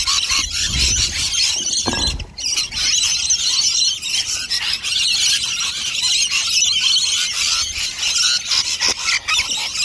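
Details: Rainbow lorikeets crowding nectar dishes at lunchtime, a large flock: unbroken shrill squealing chatter from many birds, with a short low rustle near the start.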